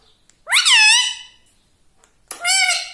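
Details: Pet talking parrot speaking, two drawn-out harmonic-rich utterances with a rising then gently falling pitch, each about half a second to a second long, separated by a second of quiet.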